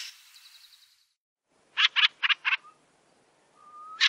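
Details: Fieldfare recorded in 2017: four loud, harsh chack notes in quick succession, preceded by faint rattling. A thin, level whistle from another sound follows, then another harsh note at the end.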